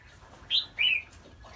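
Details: Red-whiskered bulbul, a trap-fighting bird from Kim Bôi, Hòa Bình, Vietnam, giving two short bright whistled notes about a third of a second apart; the second note is slightly lower, longer and sliding. Faint low hum in the background.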